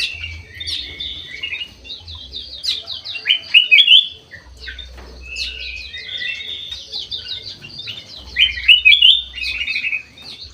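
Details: Bulbul singing busily in an aviary, golden white-eyed form: continuous chirpy twittering with louder whistled flourishes near four and nine seconds, over a soft intermittent low hum.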